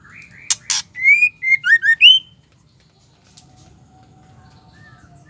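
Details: A female white-rumped shama sings to stir males into song: two brief harsh notes, then a bright whistled phrase of rising slurs and several quick upward-sweeping notes, followed by near silence.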